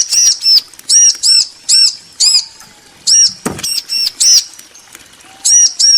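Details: Bar-winged prinia pair, male and female, calling back and forth with loud, clipped, ringing chirps in quick doublets and triplets; a single dull knock midway and a faint low whistle.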